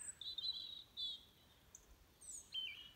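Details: Birds calling at dawn, 06:45, 22 November 2020: a clear sustained high whistle, a shorter repeat a moment later, then faint distant chirps and a falling whistled note at the end.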